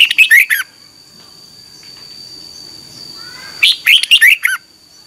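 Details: Morning song of a Red-whiskered bulbul recorded in 2021 as lure song for training birds: two quick phrases of five or six bright, bubbling whistles, with a quiet gap and a faint rising whistle between.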